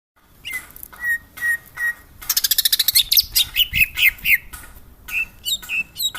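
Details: Greater green leafbird (cucak hijau), Jogja, singing actively: a few separate high whistled notes, then a fast buzzy rattling burst, followed by varied sharp chirps and rising slurred whistles.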